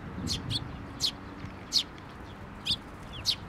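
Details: Sparrows at a Tenmangu shrine, 22 May 2024, arriving for food while chicks are fed. A handful of bright, high, clipped chirps come at irregular intervals over a faint rumbling background.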